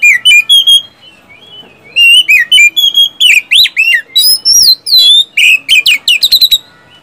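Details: Energetic oriental magpie-robin tembakan and siulan song, offered as a lure for caged kacer that have stopped singing; a fast tumbling stream of bright whistles, rising and falling slurs and chips after a brief pause.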